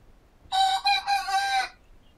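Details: Dueling rooster crowing: one harsh, rich crow over about a second, broken into a short opening note and a longer drawn-out ending, then quiet.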